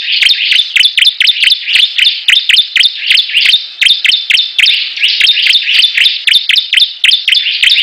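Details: Competing bar-winged prinias singing nonstop: very fast, evenly spaced high chirps, about four per second, laid over a continuous shrill twitter throughout.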